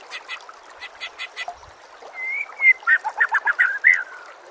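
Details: White-rumped shama master song meant to train other birds: opens with a run of harsh, buzzy chattering notes, then a long clear whistle, then a quick series of rich, warbled whistled phrases.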